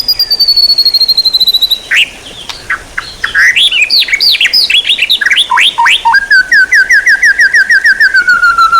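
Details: Songbird training material: a high thin descending whistle, a burst of varied loud chattering notes, then a fast series of sharp repeated notes slowly falling in pitch.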